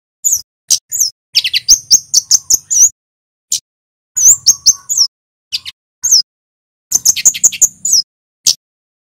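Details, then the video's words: Male scarlet-headed flowerpecker from Java, the kemade merah in loud cit keres style, gives bursts of very high, thin chirps and sharp ticks, some sliding downward, in clusters separated by short silences. "Suara burung KEMADE cit keres FULL GACOR"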